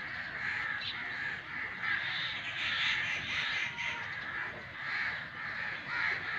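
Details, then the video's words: Angry crow cawing: dense, harsh, rasping calls overlap almost continuously, swelling and fading in waves every second or so, like several birds calling at once, with a steady hiss behind them. "angry crow sound"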